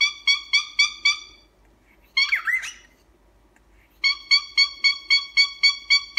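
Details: Captive pet cockatiel gives a steady series of five nasal honks, a rough twisting squawk, then eight more evenly spaced honking notes in a quick, regular rhythm, loud in a quiet room.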